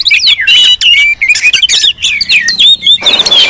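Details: Noisy Oriental magpie-robin calling used as a lure to provoke magpie-robins; fast run of bright whistled slurs and scratchy chips, ending in a drawn-out clear whistle.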